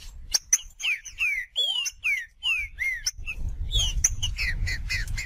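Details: Green-winged saltator singing 'macheando' in nature: a string of loud, clear whistled notes, each sliding downward, repeated about every half second, then faster notes over low rumble and clicks.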